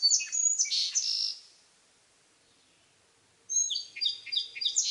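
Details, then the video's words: Two bursts of high, tumbling song sparrow phrases made of quick varied chirps and short trills, separated by about two seconds of silence, with a clean, quiet background. "Bird sound - Song Sparrow"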